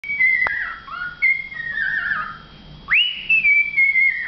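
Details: A cockatiel sings an early-morning, before-breakfast whistled song from an enclosed balcony: a clear phrase of sliding, warbling notes at mid-high pitch.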